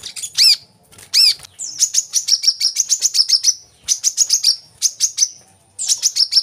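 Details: Brown-throated sunbird, called kolibri kelapa, recorded as a lure to get captive birds singing: two arched high chirps, then a fast run of sharp, very high notes in quick bursts.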